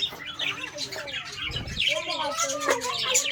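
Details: Short burst of chirping and warbling from a colony of Australian parrots, rising and falling twittery notes overlapping, with a brief low thump.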